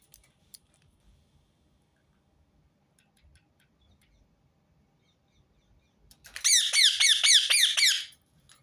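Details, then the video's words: Rose-ringed parakeet, a repeated call: near silence broken by faint ticks, then a two-second run of about seven piercing, grating screeches in quick succession. "أقوى صوت ببغاء درة متكرر"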